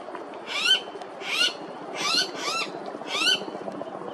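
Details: Blue-faced honeyeater at Coomera River Causeway, Gold Coast, Queensland: five harsh, wheezy, slurred notes, roughly one every 0.7 seconds, each a broad rasping sweep with a rising whistled edge, over soft background hiss.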